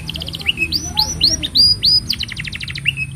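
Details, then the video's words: Long-singing canary serving as tutor song for young birds and as a prompt for non-singing canaries. Quick pulsed trills alternate with loud, clear, downslurred whistles repeated several times a second, then close with another rapid trill. "Kenari Gacor Panjang Ini Bagus Untuk Masteran Kenari Paud Dan Pancingan Kenari Bisu"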